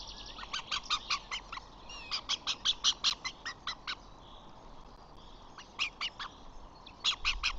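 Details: On 14 June a flamingo father flies in to five chicks, two bossy ones driving off their siblings. Bursts of rapid, buzzy honking notes come in uneven runs with short pauses, with faint higher calls in the background.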